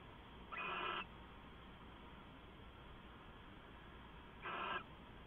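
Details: Owl at night, 2 September 2014 near midnight, gives two brief harsh hissing screeches about four seconds apart, each roughly half a second long, over a low continuous hum.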